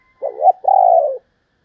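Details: Female spotted dove uttering one coo: a wobbling, rising first note, a brief pause, then a long, steady, gently descending hoot. Clean and close, with no other sounds.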